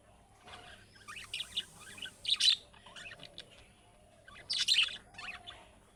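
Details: Budgerigar calls imitating chicks calling out, which other budgerigars answer: two loud clusters of bright, buzzy high chirps and chattering notes, separated by a quieter stretch.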